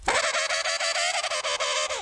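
An African penguin gives a harsh, nasal, donkey-like bray, held for two seconds and broken into quick rhythmic pulses. No other sounds are heard.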